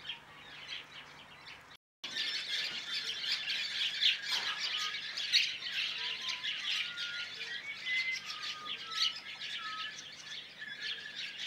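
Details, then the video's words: Mixed woodswallow flock, largely White-browed plus some Masked, producing constant high chattering calls; lower short whistled notes recur every second or two beneath the chatter. "Large flock of mixed Woodswallows (mainly White-browed but some Masked in there too)."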